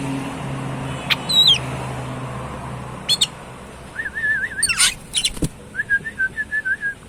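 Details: Oriental magpie-robin (kacer), described as super jinah and gacor: a few sharp notes, then a long wavering warbled whistle and a string of repeated short whistled notes toward the end, over a faint low hum.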